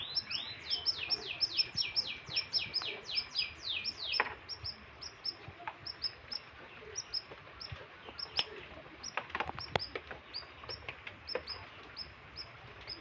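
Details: Canary in heavy breeding condition, singing vigorously: a fast run of downward-sweeping high notes, repeated about five per second for four seconds, then scattered thin chirps and clicks in the background.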